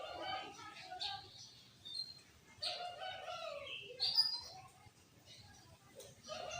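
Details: ['Loud, clear Sooty-headed bulbul song used as a lure to provoke other bulbuls into singing: mellow, rounded low whistled phrases repeated through the clip, mixed with sharper high chirps and quick twittering notes.']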